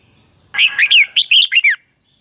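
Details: Red-whiskered bulbul dueling song, meant as a lure to train and provoke singing: one phrase of six or seven rich, quick whistled notes, mostly downslurred, lasting just over a second.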